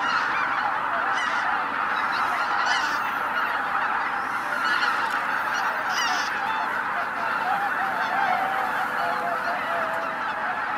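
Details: Tens of thousands of waterfowl at Izu-Numa in northern Miyagi Prefecture, Japan, on a winter Christmas morning; a constant honking chorus, with bursts of higher, sharper calls standing out now and then.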